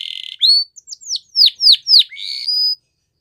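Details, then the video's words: Training song of a Belgian canary meant for young birds: a buzzy opening, then a string of sharp downslurred whistles about four per second, ending in a level whistled note. "Canary Training Song | Belgian Canary"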